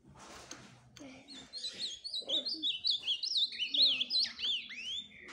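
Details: Ultramarine grosbeak (azulão verdadeiro) singing a fast, rich warble of high whistled notes that slur up and down, in a continuous, tumbling phrase of about four seconds after a brief noisy start, with faint low murmuring beneath.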